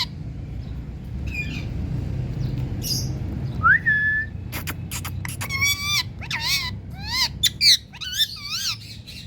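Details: Indian parrot with one rising whistle, then a rapid run of wavering, nasal squawks with strong overtones, repeated several times over the final seconds above a low background hum.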